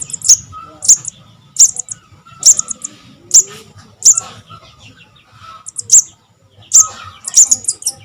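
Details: Javan cuckoo chick, locally called sogon or sogok ontong, its call used as a proven lure for trapping birds: thin, very high squeaky notes, each with a quick downward flick, given about once a second with brief faint chatter between.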